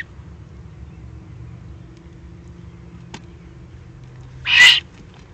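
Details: A lone breathy, harsh screech near the end from an excited young Eurasian eagle-owl in the Eifel, Germany, 21 June 2020, after a faint click.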